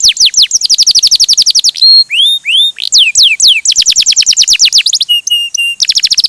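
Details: Canary gacor song mixing rapid rolling trills with clear rising whistles, steeply falling slurs and brief piping notes, the fast buzzy trill returning at the end.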